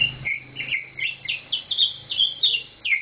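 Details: Green leafbird kept in a cage, a week after purchase, its tail still growing: a brisk run of high, clear whistled notes, some slurred and some clipped, about a dozen in three seconds with a faint low hum beneath.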